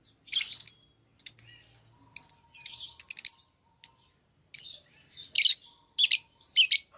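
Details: Many active, healthy lovebirds chirping: short, high, harsh bursts in clusters separated by brief silences, some notes doubled or tripled, with a faint low hum in the background.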